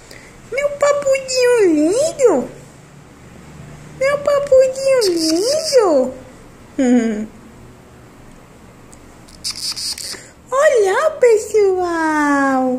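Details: Young cactus parakeet calling in a quiet room: long, raspy, wavering cries that rise and fall, four bouts over about thirteen seconds, the last sliding steadily downward.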